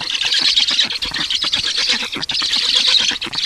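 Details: Estonian black storks being fed at the nest, 18 June 2019: continuous shrill squealing and squawking, tightly packed and high-pitched, with rasping pulses through the whole stretch.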